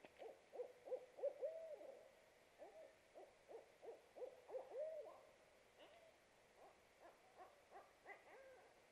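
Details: Two barred owls at a nest box in a pignut hickory in a wooded backyard, hooting in a duet during an incubation break on April 2, 2018: rapid, overlapping mid-pitched hoots with wavering, upslurred notes, fading into scattered calls.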